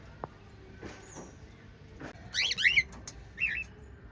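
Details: Captive white lovebirds give a quick cluster of bright rising chirps followed by a single shorter note, after faint clicks and rustling.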